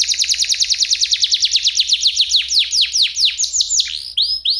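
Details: F1SF canary singing a clear crystal, unique cengkok tutor song for white-rumped shamas and young canaries. A long rapid series of downslurred notes gradually slows and widens into swooping arched phrases.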